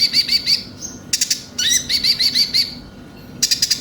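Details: Konin, Van Hasselt's sunbird, in a lure recording meant to spur caged birds into song: rapid high twittering trills of bright repeated notes, broken by dense bursts of sharp chips.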